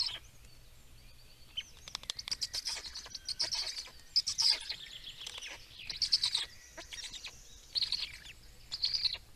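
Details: Black storks in Estonia during feeding, 17 May 2019: bursts of rapid, hoarse, high-pitched pulsed calls, loudest in the middle and last seconds, over a faint low steady hum.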